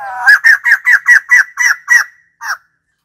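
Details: White-crested laughingthrush calling in a loud string of eight rapid, harsh cackles, like laughter, then a short gap and one final cackle.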